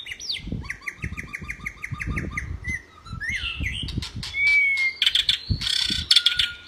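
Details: White-rumped shama training song: a fast repeated series of identical chipping notes, then slurred whistles, one long pure whistle, and a harsh buzzy ending. Low knocks occur throughout.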